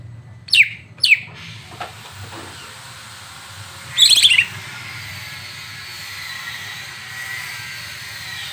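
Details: A greater green leafbird sings to provoke another leafbird: two sharp descending whistles early on, a rough chattering burst a few seconds later, then steady hiss.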